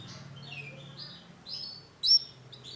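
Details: Female Isabel-coloured canary giving short, thin chirps, then a louder sharp high tweet near the end, over a low steady background hum.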